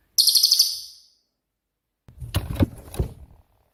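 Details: Cililin with a 'tembakan' style song, used to train songbirds like murai batu and cucak ijo; a short, very high, rapidly pulsed trill under a second long, then a pause and several dull low knocks.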